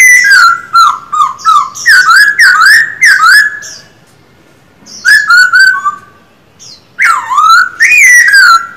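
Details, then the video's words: Rapid series of ringing whistles, each slurring downward, from a caged male silver-eared laughingthrush trained in bắt cô trói cột and kéo thuốc lào song styles, pausing twice before resuming with swooping phrases. "Khướu bạc má hót quá đỉnh, 60 phút luyện giọng mỗi ngày."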